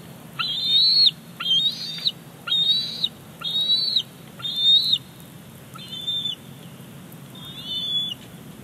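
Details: Young bald eagle at Big Bear Lake nest, 28 July 2019, begging as its mother brings in a fish; a run of about seven high, arched whistled squees, roughly one per second, fading toward the end, with low hum beneath.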